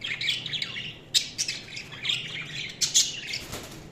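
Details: Budgerigars chirping: dense high chatter of warbles and squawks with sharp clicks and short bursts, busy and irregular throughout.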